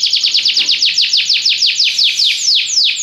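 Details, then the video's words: Belgian canary song of loud, high, down-slurred notes repeated about six times a second, spacing slightly widening toward the end. "espetacular canto canário belga"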